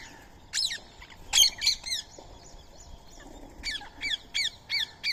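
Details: Indian ringneck parrot at daily feeding time, sharing a meal of soaked rice and corn with a squirrel; harsh, harmonic, downward-slurred squawks, one burst of several, then a steady run of five quick calls near the end.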